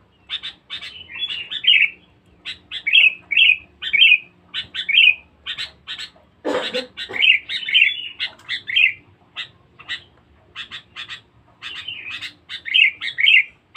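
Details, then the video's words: Sooty-headed bulbul in noisy, lively mood, a lure recording: a long, steady stream of bubbly, slurred whistled phrases, each preceded by quick chips, repeated almost every half second, with one low rattling burst midway. "pikat kutilang bagus"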